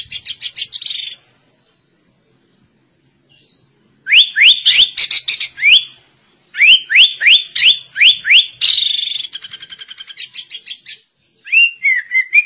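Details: Sooty-headed bulbul performing a white-rumped shama style song: fast runs of sharp rising whistles alternate with high buzzy chatters and rapid ticking trills, broken by a short pause, in a clear, quiet setting.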